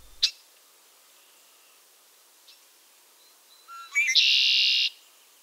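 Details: In a southern Maine backyard in late March (early spring), a male Red-winged Blackbird gives his conk-la-ree song: a sharp opening note, a few quick rising notes, then a loud buzzy trill lasting under a second.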